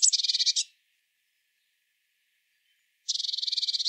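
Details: Eurasian blue tit giving dense, high, buzzy trills, one short burst at the start and another steady rapid trill after a silent gap of over two seconds.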